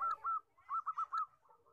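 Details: Zebra dove of the common fourteen-tail-feather type, song for bird luring: a series of slurred cooing notes, some drawn out and others short and bouncing, with a faint lower voice murmuring beneath.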